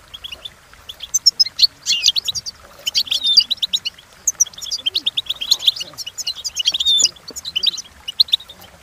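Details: European goldfinch singing a training song for other goldfinches to copy, a continuous lively tinkling chatter of rapid high notes, with a few thin upslurred whistles mixed into the stream.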